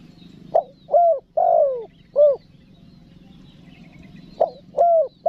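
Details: Spotted dove calling wild doves in: one full four-note cooing phrase with a long drawn falling note, a pause, then the next phrase starting, over a low background hum.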